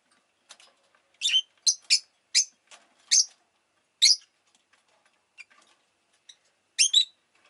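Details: Rosy-faced lovebird kept as a pet, giving sharp, high chirps in short bursts, about seven loud notes spread over several seconds with faint clicks between them.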